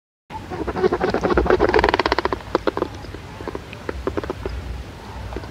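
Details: A Painted Stork in India bill-clatters and flaps its wings. The rattle of fast, dry, wooden knocks peaks in the first two seconds, then breaks into scattered clicks over faint background hiss.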